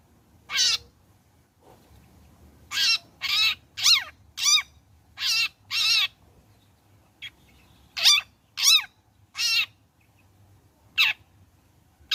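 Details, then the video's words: Singing long-tailed shrike past the trotol moult, a lure to prompt other shrikes into song: rasping, grating notes repeated irregularly, sometimes in tight runs of three or four, with brief gaps and faint low hum behind. "Burung Cendet Gacor Selepas trotol PANCINGAN CENDET AGAR BUNYI"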